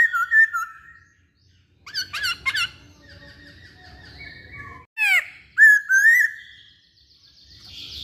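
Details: Poksay Hongkong laughingthrush singing: opening slurred whistles, a cluster of sharp clipped notes, a long soft rambling stretch, then loud sweeping whistles that rise and fall.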